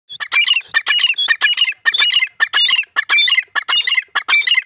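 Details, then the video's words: Male grey francolin (teetar) calling loudly: harsh, ringing, squawking phrases repeated in rapid bursts, nearly two per second, with brief gaps between them. "grey francolin teetar sound,bhura teetar sound"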